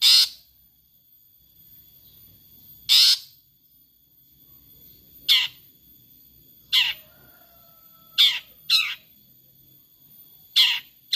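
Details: Long-tailed shrike giving harsh, rasping "toet" calls: short, noisy bursts separated by gaps of one to three seconds, with a pair of quick calls near the end. A steady high electronic tone runs throughout.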